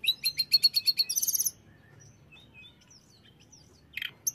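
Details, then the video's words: Hill blue flycatcher (tledekan) song, played to make other birds of its kind aggressive: a rapid burst of high buzzy pulses repeated about ten times, then near silence with a few faint high chips. "setelah dengar ini tledekan jenis apapun akan cepat esmosi"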